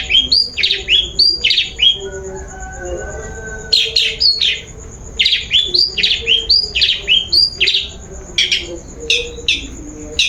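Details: Long-tailed shrike song played as a lure to provoke singing: bursts of quick, downslurred high chips in clusters of two to four, a short quiet gap, then a fast string of similar sharp notes, over a faint constant high hum.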